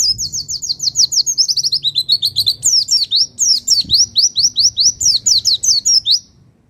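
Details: Pacitan Javan white-eye, recorded as a master for training other birds, pours out a continuous high-pitched chatter of quick downward-sweeping whistles, about four per second, steady and loud throughout.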